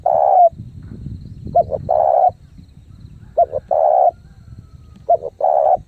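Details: Fast thúc gù cooing by a spotted dove lure bird: repeated phrases of short twin notes ending in a sustained coo, spaced under two seconds apart, with a low rumble beneath.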